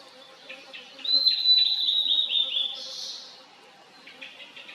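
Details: Blue-and-white Flycatcher, wild, valley song recorded in 2023: short soft chips, then one loud sustained whistle that wavers into quick descending slurs, followed by a brief hiss and faint chips again.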